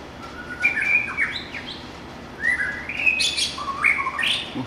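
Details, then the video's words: Wild white-rumped shama pouring out song: rich, varied whistled phrases with upslurs and downslurs, some notes jumping high, delivered in two bursts separated by a short gap. "suara kicau burung MURAI BATU LIAR SUPER GACOR"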